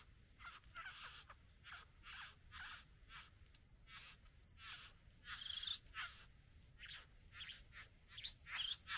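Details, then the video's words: Satin bowerbird at the bower displaying to a female, producing a series of short rasping, buzzy notes roughly every half second, with a few louder harsh bursts in a fairly quiet setting. "Bowerbird. ( Courting female at the bower)."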